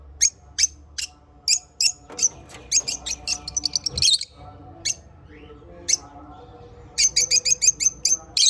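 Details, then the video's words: African lovebirds chirping: sharp, high, clipped chirps in irregular bursts, briefly quieter in the middle, then a fast run of close chirps near the end over a faint low hum. "African Love Birds Chirping Sounds"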